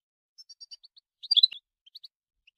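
A goldfinch sings a quick run of high, thin twittering notes, several short chips then a brief buzzy burst and a few more tinkling notes.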